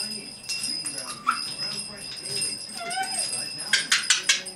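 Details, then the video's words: A 10.5-month-old pet red-bellied parrot, a female, chatters with short slurred whistles that rise and fall, ending in a burst of harsh, scratchy squawks over a faint steady high whine; finding: Red-bellied parrot. "Red-Bellied Parrot - Talking, Chatter, Noises, Whistling"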